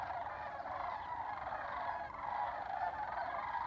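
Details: Dense overlapping rattling bugles from many sandhill cranes on spring migration near Albuquerque, New Mexico, forming an unbroken chorus over low rumbling noise.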